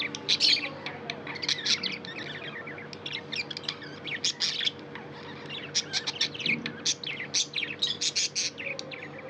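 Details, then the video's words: Pet budgerigar in continuous chatter: rapid high chirps, clicks and warbled notes in fast uneven runs with brief pauses, over a faint steady hum. "Budgie chirping sound & love"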